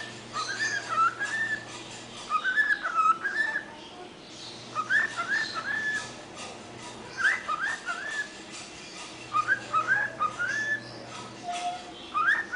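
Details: A 6-month-old cockatiel whistles the Mexican Hat Dance tune in bright, bouncing three-note phrases, repeated with short pauses.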